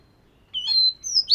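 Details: Daily singing practice of a scaly-type Oriental magpie-robin: a brief phrase of long, pure, high whistles that step upward and end in a sharp upslurred note.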